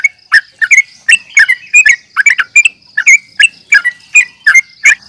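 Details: Yellow-vented bulbul giving a fighting call in the nggaruda uplik tarung style, meant to provoke rival birds: bubbly chattering notes in quick bursts, about two or three each second, over a faint steady high whine.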